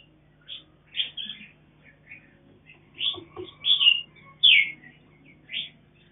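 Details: At a farm, a color-mutant mountain red-whiskered bulbul tends its young: irregular high chirps and twittering notes, about one or two every second, some loud and slurred, with a faint low hum behind.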